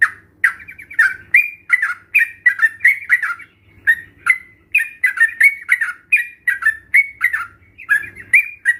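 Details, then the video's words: Lure song of sooty-headed bulbul, meant to excite lazy caged bulbuls into answering: a long series of lively chirps and short warbled phrases, irregularly spaced, several notes per second, with brief pauses between bursts. "Pancingan Trucukan Bahan Ombyokan ‼️COCOK Untuk Memancing Trucukan Anda Agar Bunyi dan Gacor"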